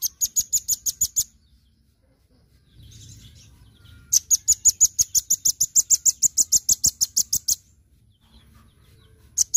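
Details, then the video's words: Repeated bursts of very high, sharp chips from a Velvet-fronted nuthatch in 'gacor' masteran song: a short run, a pause with soft rustling, then a long fast series of over twenty notes, then another start. "MASTERAN rambatan paruh merah GACOR full suara harian"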